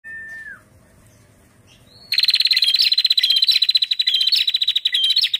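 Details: After a soft, low downslurred whistle and a quiet gap, a female prinia bursts into a rapid, steady rattle of sharp high ticks. The call is used to stimulate males to sing.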